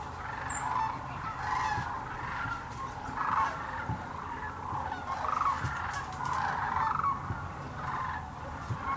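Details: Sandhill cranes by the thousands at the Hiwassee Wildlife Refuge, Birchwood, Tennessee, where they gather each year on migration: a dense, continuous chorus of rolling, trumpeting calls, overlapping voices swelling and fading with a low rumble beneath.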